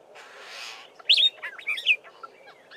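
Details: Black-bellied starling song: a soft hiss, then a jumble of bright, squeaky whistles and chattering notes, with mimicry of a Fork-tailed Drongo and other local birds.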